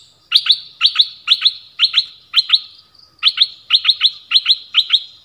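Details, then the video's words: Nok dok taeng bird singing a 'double' style song meant for young birds to copy, also used to lure wild birds and excite birds; paired sharp chirps repeated about twice a second, in two runs separated by a short pause. "เสียงนกดอกแตงEp.5 Birds sounds เพลงเบิ้ล เปิดให้ลูกนก-ลูกเสอร้องตาม ใช้ต่อนกป่า เปิดให้นกคึก"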